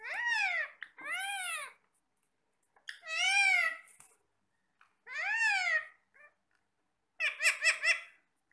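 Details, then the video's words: Talking parrots eating apple utter drawn-out, arched, speech-like calls roughly every two seconds, each rising then falling in tone, ending with a fast stuttering burst of clipped syllables. "Talking parrots"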